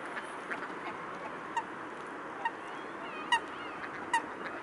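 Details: Mute swans at the Blaues Wunder on 13 February 2016 at 17:05: short nasal honks with ringing overtones, heard about once a second over a dense murmur of many waterfowl calling.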